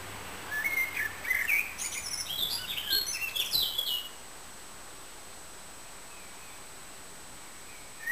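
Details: Eurasian wren at the Réserve de Calviac: about four seconds of rapid, high, tinkling notes, short whistles near the bottom rising into bright jumbled trills and sliding notes, then quiet background for the rest.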